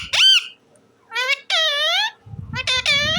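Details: Talking parrot mimicking speech: a few squeaky, nasal, strongly harmonic syllables in quick bursts, with a brief gap and a low rumbling background near the end.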